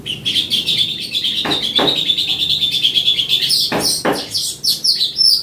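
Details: Streaked weaver birds singing and chirping: a rapid, continuous high twittering chatter that rises into a squeaky jumble, with a few sharp knocking clicks in between.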